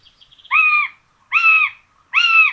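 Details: Common buzzards at a nest in Tiszalök, Hungary, on 26 June 2022, with two chicks fed a rabbit for breakfast: three loud, drawn-out harmonic notes, each level and slightly arched, spaced about three-quarters of a second apart, with faint chirps before them.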